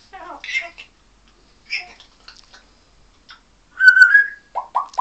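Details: Pet African grey parrot on its playstand, wanting attention. It gives scattered soft chattering syllables, then a clear whistled note and a quick run of short rising whistles, with a person talking to it nearby.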